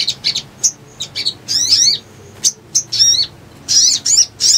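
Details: Little spiderhunter lure song for catching birds: scattered short high chips and whistles alternating with louder sweeping, squeaky phrases, with brief silences between.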